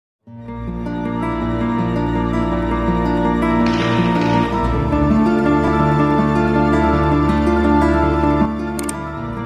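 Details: Sustained instrumental music with layered tones plays throughout, and no animal sound is heard.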